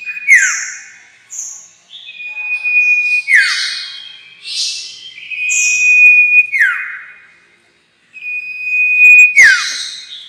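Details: Lure sound for trapping sirtu: repeated phrases of high buzzy notes, steady whistles and fast falling slurs, four phrases over ten seconds, ending in a sharp click-like burst.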